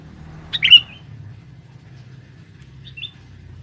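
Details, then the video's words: Sooty-headed bulbul male, used as a forest lure, gives one strong bright chirp followed by a faint short note, with low background rumble. "pikat burung kutilang jantan buat pancingan di dalam hutan"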